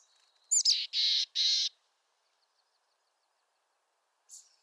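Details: Mountain chickadee of western North America giving one throaty call: a thin high rising note, then two harsh buzzy dee notes, with a faint short buzz near the end and otherwise quiet.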